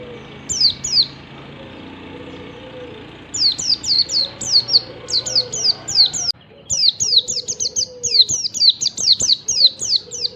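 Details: Wild yellow-breasted Oriental white-eye singing in the morning, used as a lure to prompt other white-eyes to sing: bursts of high, rapid, descending chirpy notes in quick series, over a low rumbling background with other faint whistles.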